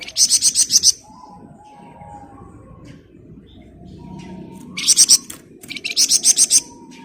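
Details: Flamboyan bird singing actively in the dense ngebren style: bursts of very high, rapid, buzzy trilled notes, each bout about a second long, with quiet pauses and a low background hum between them.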